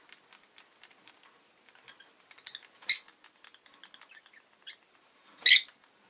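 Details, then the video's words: Rosy-faced lovebird kept as a pet, making a steady patter of tiny clicks and ticks broken by two loud, harsh, broadband chirps a few seconds apart. "Lovebird Chirping Sounds"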